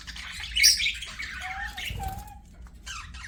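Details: Budgerigars chattering while playing, a harsh squawky burst at first, then a low drawn-out whistled tone, ending in quieter chirps.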